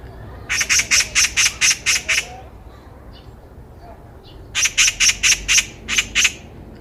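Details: Eurasian magpie ringing out on a walking path: a run of about eight evenly spaced harsh chacks, a two-second pause, then another run of seven.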